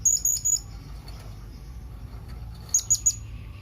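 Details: Blue-crowned hanging parrot calling to companions: a quick run of high squeaky notes at the start, a long pause, then three more sharp, thin squeaks.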